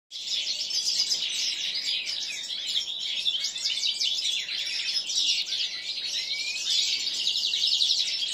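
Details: A 7-month-old common linnet × canary hybrid, kept among other finch hybrids, sings a long, unbroken, fast twittering song of high chirps, trills and short rising whistles, with nothing else heard.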